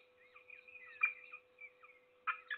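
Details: Peregrine falcon feeding its single chick, Trzebież Forest District, Poland, 7 May 2022. High, thin wavering whines and soft notes are broken by a harsh rasp midway and two more rough calls at the end, all over a persistent electrical hum.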